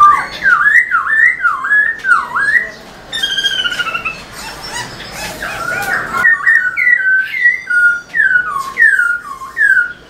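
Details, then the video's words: Black-throated laughingthrush in spirited tail-dancing song, meant to excite caged birds: a run of looping whistled notes dipping and rising about twice a second, then a harsher chattered passage and more clear falling whistles. "Khướu bạc má HÓT MÚA ĐUÔI cực sung kích khướu nhà bạn căng lửa"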